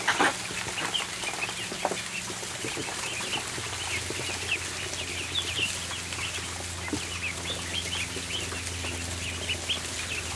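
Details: Ducklings on a barn floor at feeding time, a flock giving many short high peeps in quick overlapping bursts, with constant clicking and pecking noise and a steady low mechanical hum underneath.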